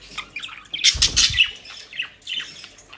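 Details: Budgerigars kept as pets in Den Haag, busy with dry leaves and grass, produce a sharp cluster of squawks mid-way, preceded and followed by softer twittering warbles and a low knock.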